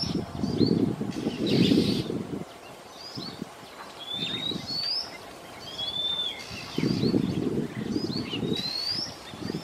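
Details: Afternoon in Singapore, a male Oriental magpie-robin singing: thin rising and falling whistles and short upslurred notes, partly masked by repeated low rumbling bursts of background noise.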